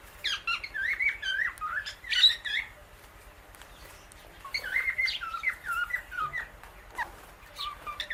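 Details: Indian ringneck parakeet sharing guava seeds with an Alexandrine parrot in a pet pair; two phrases of quick, twisting chirps mixed with sharp clicks, separated by a quiet gap of about two seconds.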